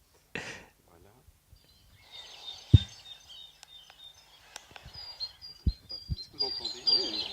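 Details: European serin song as heard at 6 in the morning in a cemetery: very high, fast, jingling song over several seconds, played through speakers in a room with murmuring people and low rumbles.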